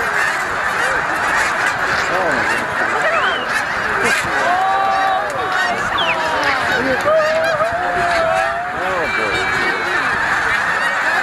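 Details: About 90,000 snow geese roosting on the lake at Middle Creek Wildlife Management Area, Pennsylvania, on 22 February 2020 give a dense, continuous chorus of high, nasal honks and yelps, overlapping without pause.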